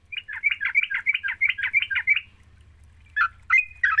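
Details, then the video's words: Sooty-headed bulbul song used as a lure to get a reluctant caged bird singing: a fast run of bubbly, chirping notes near two kilohertz for two seconds, a pause, then a few louder, sharper phrases. "Pancingan trucuk GACOR, sekali dengar trucukanmu gak bisa diam."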